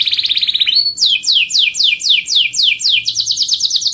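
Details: Canary song meant to spur other caged birds into singing: a rapid trill of short notes, then a rising whistle, then a series of fast downward-sweeping slurred notes repeated about four per second, ending in a quick high trill.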